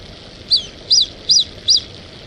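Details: Brazilian teal (marreca ananaí, pé vermelho) calling in an unedited recording: four short, high, arched whistled notes, evenly spaced about every 0.4 seconds, each sharp and clean against a quiet background hiss.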